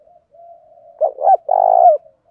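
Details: Low, level cooing, then a decoy spotted dove's phrase: two short hollow hoots followed by a long pulsing purr that dips at the end. The bird is used to lure wild doves and keeps varying its song.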